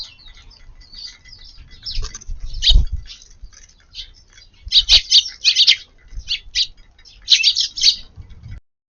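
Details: Eurasian tree sparrow feeding busily in a garden at lunchtime on 9 March; sharp, high chirps come in quick, uneven clusters, densest near the middle and the end, over soft low thumps and rustling.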